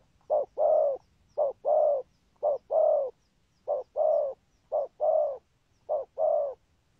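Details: Spotted dove with a full song pattern, good rước and thúc gù cooing. Six evenly spaced pairs of low coos, each a brief clipped note then a longer swelling one, roughly one pair per second against a quiet background.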